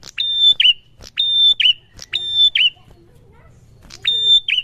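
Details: Answering song of a prinia. Repeated high whistled phrases, each starting with a click and finishing in a falling twist, come about once a second. There is a pause before the last phrase, with faint low hum.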